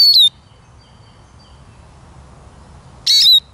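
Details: Eurasian siskin: two brief, high, slightly buzzy notes falling in pitch, separated by about three seconds of near silence.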